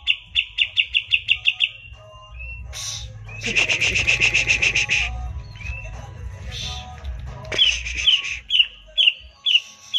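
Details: Green leafbird kept in a cage, singing to spur others: rapid trill of sharp notes, a harsh buzzy burst, a long rattling series, then loud clipped whistles repeated about twice a second.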